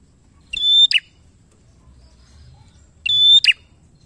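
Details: Bar-winged prinia in lively song, used to lure other birds into singing: two loud phrases, each a clear sustained whistle ending in a sharp clipped flourish, about two and a half seconds apart.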